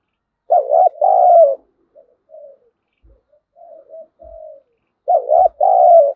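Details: A lure spotted dove with a 'giọng thổ' style voice, meant to provoke wild birds to fight, opens and closes with strong throaty double coos, separated by a run of quiet, low coo notes and occasional light knocks.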